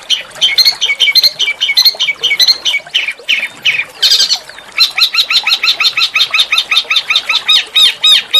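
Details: Small songbird master song, coarse yet melodious, used to provoke white-rumped shamas and oriental magpie-robins into singing. Scratchy squawking phrases and grating notes, then a steady rapid series of ringing high notes repeated several times per second.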